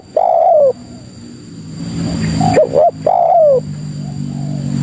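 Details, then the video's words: Spotted dove lure call meant to draw other doves: two phrases, each a long gently falling coo preceded in the second by two short hooked notes, over steady low background hum. "Suara Burung Pikat Tekukur Paling Ampuh Untuk Masteran dan Pikat Memanggil Kawan"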